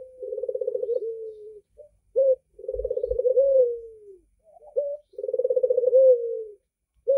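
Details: Red-eyed white (albino) Barbary dove gives three low, rolling, purring coos, each about a second and a half long, with a short clipped note between them.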